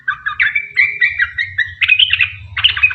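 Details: Lure song of a sooty-headed bulbul, the long 'ropel' style, to get others singing. Slurred whistled phrases rise and fall, with a few harsher squawky notes near the end, over a low hum.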